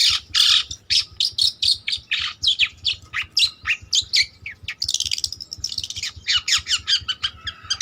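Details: Long-tailed shrike, trotol variety, singing busily as a master song for training: rapid chattering phrases of scratchy, squeaky notes strung together almost without pause, with a grating passage midway.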